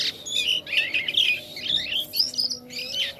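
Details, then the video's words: Jalak kapas starling singing vigorously, a continuous jumble of short warbled and chattering notes, some rising whistles, repeated in quick phrases roughly twice a second, with a faint background hum. "JALAK KAPAS KALAU SUDAH GACOR MANTAP JUGA"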